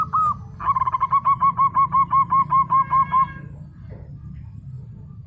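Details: Local zebra dove singing: one opening note, then a steady series of about thirteen evenly spaced, rounded coos that stop abruptly, leaving a low background murmur.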